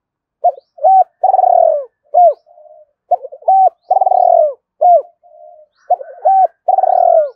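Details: Spotted dove decoy cooing used to call and lure doves: repeated phrases of short hollow hoots and a soft trill, then a long, drawn-out falling coo. Nothing else is heard.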